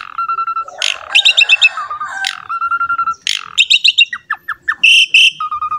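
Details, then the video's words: Lively champion Asian pied starling singing to provoke other songbirds: steady low whistles between harsh chattering bursts, quick rattling series and falling slurred notes, ending in bright loud whistles. "MASTERAN DAN PANCINGAN BURUNG JALAK SUREN GACOR JUARA"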